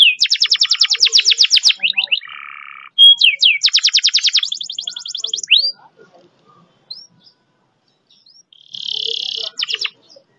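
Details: Canary delivering a long, speedy roll meant to prompt silent canaries to sing: quick high rattling trills and a short lower buzz, then swift repeated notes, followed by quiet gaps, scattered faint chips and one more brief buzzy trill.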